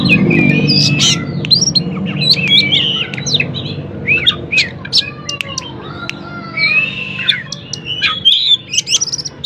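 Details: Singing oriental magpie-robin, meant to goad other magpie-robins that rarely sing; busy jumble of sharp chirps, quick upslurs and short whistles, a few slurred notes near the end, over a low rumbling background.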